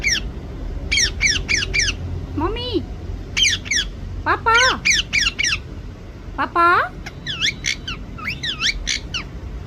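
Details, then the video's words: Pet parrot attempting to say "mummy papa" indoors. Bursts of quick, falling high chirps alternate with lower, voice-like rising and bending tones that imitate words. "Mithuu mummy papa bolneki try kar rehi he"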